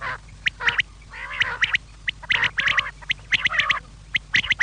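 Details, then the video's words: Evening quail calling: sharp clicks and grating chatters in short groups, with a few drawn-out nasal buzzy phrases between them, repeated irregularly over a quiet background. "شام کیلئے بٹیر کی صاف آواز"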